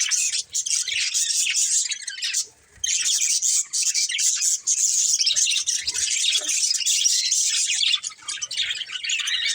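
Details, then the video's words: Budgerigars keep up a loud, unbroken, hissy warbling chatter of rapid high chirps and squeaks, dipping briefly quiet once before resuming. "Cute Colourful Budgies Chirping Sounds | Love Birds Breeding Pair | Budgies Singing"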